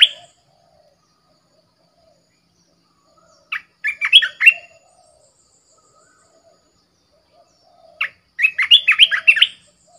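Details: Red-whiskered bulbul (Pycnonotus jocosus), a caged decoy bird, sings two short, bubbling phrases of rich, warbled whistles about four seconds apart, with quiet pauses between.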